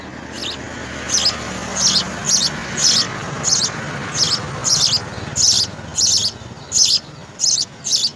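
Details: House sparrow babies clamouring for insect food, evenly spaced shrill rasping calls that grow louder toward the end, repeated about every 0.7 seconds.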